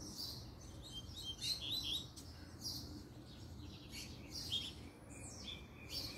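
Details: Puxada song of a double-collared seedeater: short clusters of high, thin chirps and buzzy notes repeated through the passage, separated by brief gaps, with a faint low hum.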